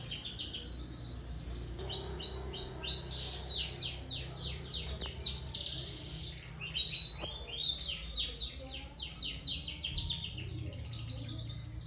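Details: Canary, described as a young bird still learning its song, singing a long run of rapid, rising and falling whistled trills and chirps, with steady low background noise throughout.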